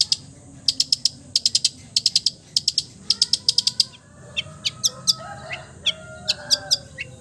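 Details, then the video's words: Long-tailed shrike imitating other bird species: quick grouped bursts of three to five sharp high ticks, then scattered thin whistled and chattering notes against a low hum. "MERDU SUARANYA, BISA MENIRUKAN SEGALA SUARA JENIS BURUNG | CENDET FULL MATERI"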